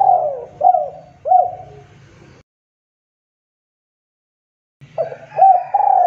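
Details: Male spotted dove used to lure other doves into calling, giving mellow low coos in two bursts, each a few short hooked notes ending in a longer falling coo, with a faint low hum beneath and silence between.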